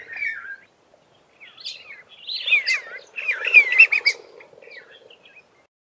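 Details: A flock of Red-faced mousebirds calling to each other from an Acacia tree, close to the recorder; clear, slurred, rising and falling whistles overlap in a busy chorus of several birds, before they all fly off.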